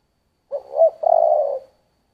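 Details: Spotted dove singing a 'giọng thổ' phrase: a quick soft note, a rounder hoot, then a drawn-out, slightly wavering low coo. Silent background.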